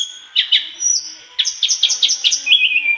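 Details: Lively mangrove blue flycatcher song in full repertoire display, with short chirped notes, then a fast burst of clustered high chips and twitters, ending in a long, slightly falling whistle over a faint steady tone.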